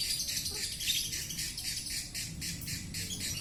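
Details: Lovebird producing its 'konslet' sound, a fast, rhythmic series of harsh, buzzy high chirps, roughly four a second, run together as a continuous scratchy chatter.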